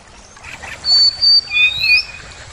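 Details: White-rumped shama in full isian style, a song packed with mimicked sounds: a few clear, pure whistles, some level and one sliding upward, over about a second and a half, with faint background hiss.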